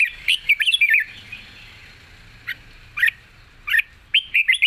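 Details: Red-whiskered bulbul singing a wild-style song with long phrasing and a light voice: a rapid tumbling run of cheerful slurred whistles for the first second, then spaced single notes and a final warbled phrase.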